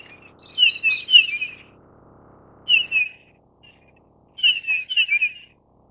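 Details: Taiwan's endemic Grey-headed Bullfinch subspecies owstoni, living in mountains above 2000 m, giving clear, slightly downslurred piping notes in groups: about five, then two, then four, with a faint low rumble early on.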